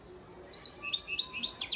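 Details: A breeding male goldfinch kept in Antalya, Turkey, in 2018 gives a short, bright burst of rising, tinkling twitters, accelerating toward the end.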